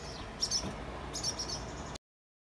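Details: Barn swallows, a pair nesting on a garage security light with feathered young, give two brief bursts of high, thin chirping twitter, the second longer, over a low background hum.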